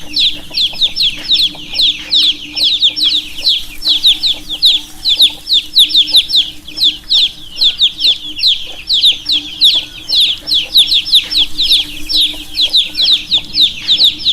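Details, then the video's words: A dense chorus of baby chicks peeping constantly, many overlapping high, rapid, slightly downslurred chirps, over a faint steady hum. "Baby Chicks - Chirping Sounds - chicks sound - chick baby"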